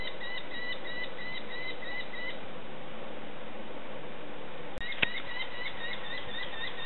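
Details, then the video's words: Young sparrowhawks begging as they are fed: rapid high chirping, a brief dropout and a sharp click a little before the five-second mark, then chirps resuming, with low rumble underneath. "Young Sparrow Hawks."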